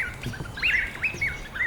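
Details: A Mangrove Honeyeater sings in mangrove boardwalk bushland at Nudgee Beach near Brisbane, Australia, toward sunset: a quick run of loud, clear whistled notes, several swooping up and down, about three per second, over faint background hiss.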